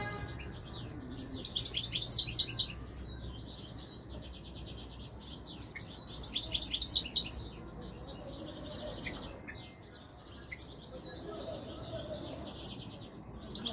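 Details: European goldfinch singing in two bursts of rapid, tinkling, twittering high notes, each lasting about a second and a half, with a quiet pause between them over a soft low hum.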